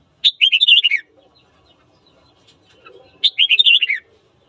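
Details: Two crisp phrases of red-whiskered bulbul morning song for goading rivals into a fight: each begins with a sharp high note and rolls into a fast, looping warble that descends, separated by quiet.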